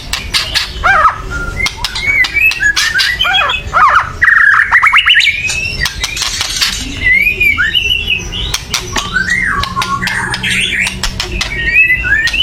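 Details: White-rumped shama, a caged songbird, calling loudly to provoke other birds to sing: varied whistled phrases sliding up and down, rising slurred notes and sharp broadband clicks and chatters, with low background rumble.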